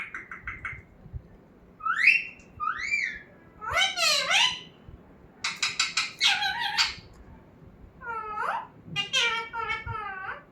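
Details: Talking parrot in a small room running through chirps, swooping whistles, buzzy rattling bursts and wavering speech-like cries across about ten seconds.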